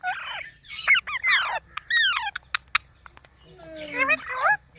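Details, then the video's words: Pet green parrot talking: a series of swooping, harmonic, speech-like phrases with rising and falling inflections, short sharp clicks in the middle, then a final burst of wavering, voice-like syllables. "Parrot Talking video"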